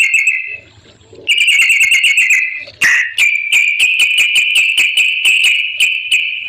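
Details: Yellow-vented bulbul in vigorous song, used as a lure to make other bulbuls answer: a fast chattering trill of clicky notes over a steady bright tone, pausing briefly near the start, then running on without a break.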